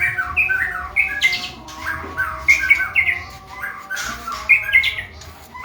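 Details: Male white-rumped shama in training, giving short bursts of mixed whistled and harsh, squawky notes, with phrases returning roughly every second and brief quiet gaps between bursts.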